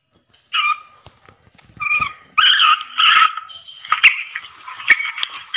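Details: A female black francolin, whose call is used to excite male partridges, gives harsh, nasal, two-toned notes, first in short bursts, then in a longer grating run, with sharp clicks mixed in.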